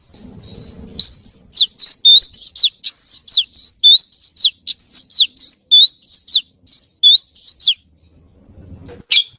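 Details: Oriental magpie-robin (kacer) giving lively, melodious song: a steady series of about two dozen sharp, high whistled notes, each sweeping sharply downward, delivered roughly twice a second. Faint low rumbling comes before and after.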